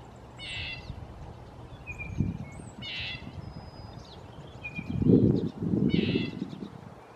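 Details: Red-breasted nuthatch repeating a short nasal horn-like call three times at irregular intervals of two to three seconds, with brief thin whistles from other birds and bursts of low rumbling noise.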